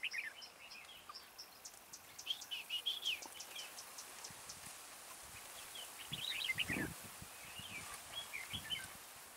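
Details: Red-whiskered bulbul used as a decoy in a bird trap, singing to lure wild bulbuls: bursts of short, bubbly whistled phrases, rising and falling, repeated across the stretch, with a few low thumps midway and a steady outdoor hiss.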